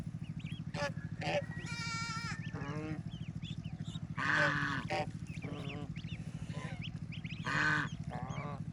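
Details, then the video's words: On a rural farm, baby ducks play in water close to their mother and family. Harsh, nasal quacking bursts recur every second or two, mixed with faint high chirps, over a continuous low droning hum. "Relaxing Duck Sounds"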